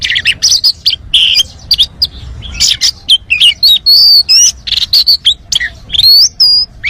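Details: Oriental magpie-robin singing a rich varied song, meant to stimulate other birds: fast bright chirps mixed with long wavering whistles and rising and falling slurs, loud and almost unbroken.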